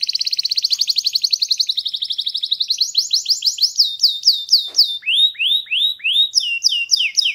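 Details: Canary singing: a fast, even run of high buzzy notes gives way to rising whistled phrases, then looping downslurred notes, all rapid and bright.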